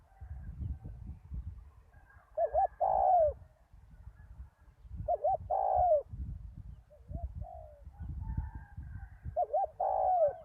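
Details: Spotted dove used as a decoy on a ground arena after a storm, with a big voice: three deep cooing phrases, each a quick wavering double note then a longer falling coo, about every three to four seconds over low rumbling background noise.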